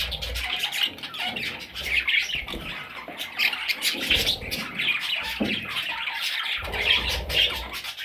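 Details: Young parrot chicks in a steady wash of rough, hissing squawks that overlap densely throughout, with occasional low knocks and rustles beneath.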